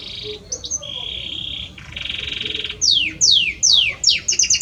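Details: Belgian canary, a male, singing to his female: buzzy sustained rolls that shift pitch, then a run of bright descending whistled sweeps repeated in quick succession and a closing rapid trill.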